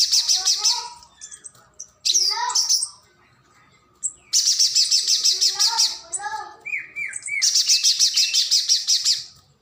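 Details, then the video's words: Spiderhunter, called pijantung gunung, a nectar-feeding bird, recorded as a model song for training contest birds: bursts of dense, buzzy, rapidly pulsed high trills about a second long, separated by lower warbled and chirped notes. "PANCINGAN PIJANTUNG GUNUNG |MASTERAN UNTUK BURUNG LOMBA"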